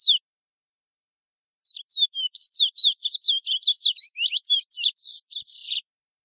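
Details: Chestnut-bellied seed finch singing the "Ananas" local song type of French Guiana: one brief note, a pause, then about four seconds of fast, high, varied chirps and twitters, ending in buzzier notes, against complete silence.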